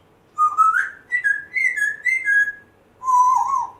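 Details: Whistled phrases from a rescued African grey parrot one month after rescue, a rising note followed by a wavering series of clear mid-pitched whistles, then a lower wobbling whistle after a short pause.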